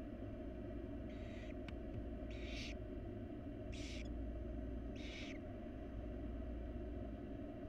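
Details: Wild barn owl chicks in a monitored nest box beg while their mother feeds them: four harsh, hissing screeches, each about half a second long, spaced roughly a second apart over a steady low hum.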